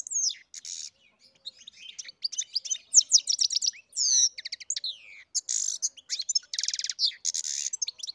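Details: Aviary-bred goldfinch in full song, a bright, jumbled stream of high twittering notes, sweeping slurs and buzzy rattles, with short gaps between bursts.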